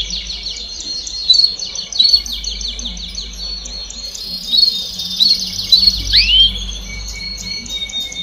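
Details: Canaries singing together in baderna style to stimulate chicks to sing: a steady wall of fast high trills, scattered sharp whistled notes and a downward swoop, over a faint low hum.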